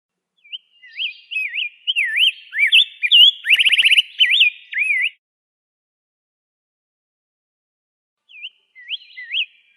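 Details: Rose-breasted grosbeak warbled whistles for about five seconds, including a rapid buzzy trill of repeated notes midway, then silence and a final short burst of whistled notes.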